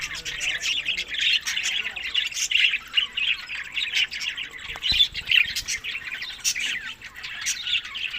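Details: Budgerigars eating summer food in Larkana, Sindh, May to June, chatter steadily: a thick blend of chirps, grating squawks and clicking notes, with sharp tweets popping out every second or so.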